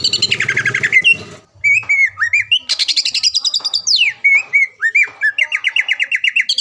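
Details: Caged greater green leafbird, a frequent contest winner around Palembang, in a training recording: rapid chattering trills alternating with slurred whistled notes, bursts of quick repeated elements high in pitch with brief pauses.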